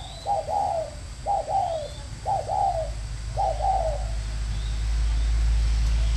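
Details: Decoy spotted dove kept at a bird farm in Ba Vì, Hanoi, Vietnam, cooing in thổ and còi styles: four mellow two-part phrases, roughly one per second, over a low rumbling background.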